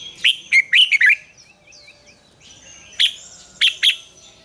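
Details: Red-whiskered bulbul in morning song, a lure recording of the mature wild double-note style. A quick run of five loud chirps is followed by scattered single and paired notes. Faint thin whistles from other birds drift between them.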